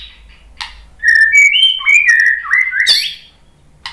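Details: White-rumped shama singing back at a lure recording: a smooth, flowing whistled phrase gliding up and down in pitch for about two seconds, framed by short clicks and chips.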